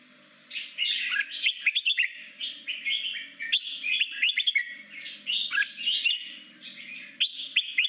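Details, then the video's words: Forest-voice song of a red-whiskered bulbul, a style played daily to train freshly caught bulbuls to sing competitively; dense, almost continuous run of warbled, slurred whistles and chirps, with a soft low murmur underneath. "Chim chào mào hót giọng rừng luyện 15 phút mỗi ngày để chào mào bổi hót đấu nhanh nhất"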